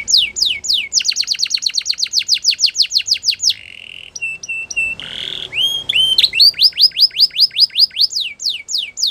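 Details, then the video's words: Spanish Timbrado canary singing: fast runs of high, downward-swept notes, then a flat buzzy tone, a few clipped whistles, a harsh burst, rising upswept notes and more rapid descending sweeps. "Spanish Timbrado Canary Singing"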